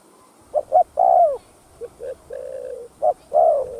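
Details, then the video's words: Spotted dove cooing to excite other doves: two quick hoots and a drooping coo, then low soft notes and a flat sustained tone, closing with another hoot and coo. "Tiếng Cu Gáy Giọng Hấp Dẫn[ ĐỦ BÀI THÚC GÙ ĐỈNH CAO 02] Kích Bổi Nhanh Nổi"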